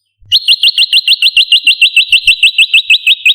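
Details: Olive-backed tailorbird lure sound for attracting and training birds: a fast, steady run of bright, sharp, upward-flicked chip notes, roughly five each second, continuing without a pause.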